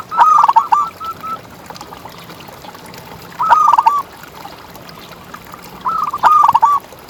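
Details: Zebra dove, a local singer used as a tutor for quiet contest birds. It gives three stuttered cooing phrases, each a quick run of clipped notes ending in a short roll, spaced about three seconds apart.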